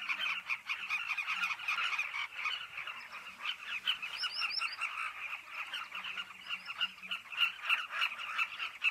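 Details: Crowded cliff nesting colony of Carmine bee-eaters giving a steady chorus of rough, chattering calls, with a few thin, high descending chirps from another bird layered over the middle.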